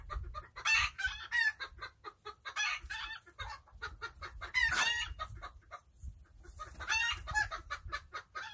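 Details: Chickens enjoying their day, described as tiny birds, making a busy string of short clicking clucks mixed with several higher, harsh, rising squawks over a low background hum.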